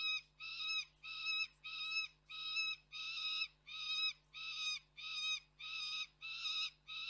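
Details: Juvenile peregrine falcon calling off-frame at the Koksik nest site, Reda, recorded 3 July 2024. Evenly spaced harsh screams, about ten in a row, each rising slightly and ending abruptly.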